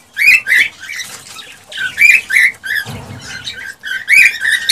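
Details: Male cockatiel's excited breeding song for stimulating a female: chirpy whistled notes and warbles in quick, uneven runs, with a brief low rustle partway through.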